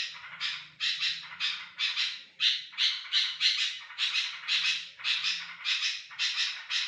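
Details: Sooty-headed bulbul calling as a lure for other bulbuls, producing a steady string of harsh, grating bursts, around two per second, with a faint low droning hum in the background.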